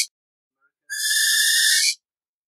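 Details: Burrowing owl (Athene cunicularia) uttering a single drawn-out, hissing screech of roughly one second, rough and breathy, preceded by a moment of silence; no background noise.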